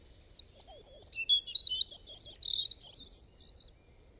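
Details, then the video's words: European robin singing a loud, rich phrase of high sweet whistles, rapid trills and tinkling notes, running about three seconds. "Robin Bird Song"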